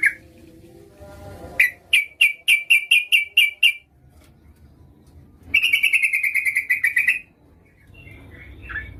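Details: Female yellow-vented bulbul calling a male, a lively lure recording: a run of evenly spaced sharp notes about four per second, a pause, then a faster bubbling trill lasting over a second, with soft low background noise.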